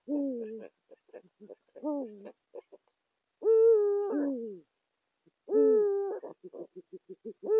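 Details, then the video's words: Eurasian eagle-owl pair, male and female, in courtship at the nest site, Saxony, Germany, January 2022: a mix of low, rough, wavering notes and sustained hoots, then a run of quick, short, stuttering notes near the end. "Uhu Männchen und Weibchen bei der Horstbalz"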